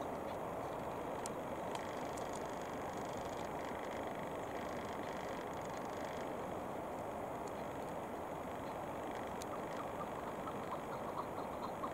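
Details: Steady broadband rumble like passing vehicles or wind, with no clear animal calls.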